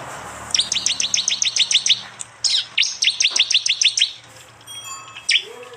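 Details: Prenjak and jali prinias recorded by phone in East Java. A steady run of about a dozen crisp, high, downward chirps, a short pause, then another fast series, ending with a single sharp note.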